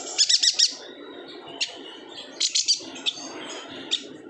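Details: Yuhina from Kalimantan, whose song is used to tutor other cage birds: a quick run of four bright high chirps, then scattered single notes and a short cluster, with a soft noisy background.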